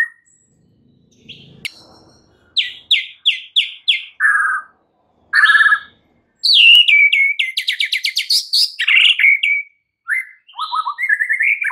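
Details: White-rumped shama belting out a complete set of fills to provoke a silent shama: a series of evenly spaced sharp notes, two lower buzzy calls, then fast trilled rattles and sweeping whistles.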